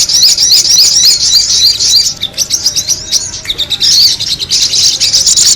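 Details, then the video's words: A sogon bird lure recording: dense, high-pitched, noisy chattering twitters in fast, uneven bursts, with a brief break midway before the busy chatter resumes. "the sound of the noisy sogon bird"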